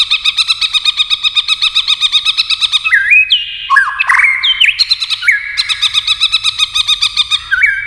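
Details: White-rumped shama in competition singing with many voices: a long run of fast, evenly repeated bright notes, then slurred rising and falling whistles and another rapid repeated burst near the end.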